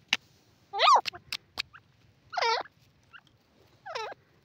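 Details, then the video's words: Grey francolin calling: three loud, harsh, strongly harmonic notes that rise and fall, spaced about 1.5 seconds apart. Scattered clicks and a low hum sit in the background. "sliver teetar,silver teetar ki awaaz,grey francolin awaz"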